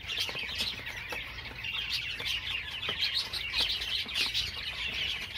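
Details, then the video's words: Java sparrow song from a group of birds: continuous shrill twittering, quick clicking notes and bell-like chirps overlapping in a steady, unbroken chatter. "Most Beautiful Java Songs Ever"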